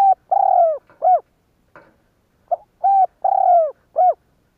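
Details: Spotted dove kept as a lure bird, calling to provoke other doves into cooing: two phrases of a short note, a level coo, a long slightly falling coo and a short arched note, separated by a pause with faint clicks, clean background.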